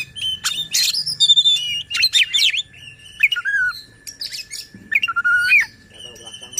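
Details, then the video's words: Song of an Oriental magpie-robin used to agitate other magpie-robins and lure reluctant singers: clear slurred whistles, quick chirps and short buzzy bursts in spaced phrases, a thin steady whine underneath. "Suara KACER Buat EMOSI dan NGOTOT Kacer Lain | Pancingan Kacer Malas Bunyi."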